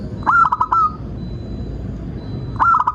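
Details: Local zebra dove song used to lure and tutor other doves: two phrases of quick, bubbling, tremulous coos, each starting sharply and finishing in a sustained, slightly falling note, separated by about two seconds of quiet hum.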